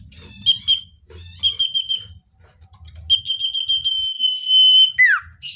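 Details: Common iora, natural sound for attracting wild birds: short bursts of fast pulsed high whistles, then a long steady whistle that breaks into a steep falling note. Faint low background hum.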